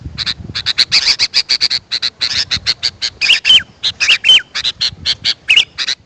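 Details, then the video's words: Sooty-headed bulbul calling, used to attract wild birds: rapid, rasping chatter in a near-continuous stream of short bursts, broken by a few clear, level whistled notes that drop at the end. "Suara Burung kutilang"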